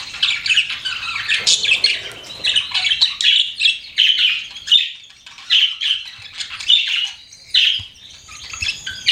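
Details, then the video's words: Pet budgies in steady chatter, raspy squawks and rapid twittering phrases repeating about every half second, softer gaps between bursts. "CUTE PET BUDGIES CHIRPING"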